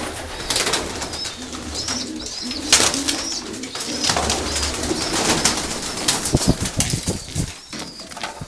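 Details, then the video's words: Homing pigeons indoors, low soft cooing bands repeated through the recording beneath louder clattering, wing flaps and scraping noises, with some higher chirps. "Gołębie pocztowe"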